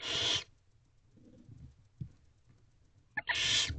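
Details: Wild barn owls in a nest box at night, 1:12 am, 19 April 2023, the male bringing a rabbit: a rasping hiss opens and another closes a short stretch of quiet rustling and bumps.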